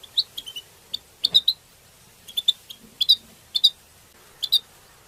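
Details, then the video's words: Group twittering of European goldfinches, the 'betbeta' style meant to stimulate other goldfinches and linked to mating; sharp high chirps in quick clusters of two or three, recurring about every half second, one note with a faint low thud. "بتبتات حسون تبتة حسون جماعية بتبتة وتستسة المقنين تبتة وستستة"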